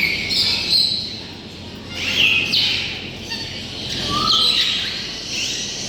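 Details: A chorus of captive parrots of many species in covered aviaries at Tehran Bird Garden gives rasping squawks with a few sharper whistled notes. The calls come in loud waves every second or two, with constant background chatter.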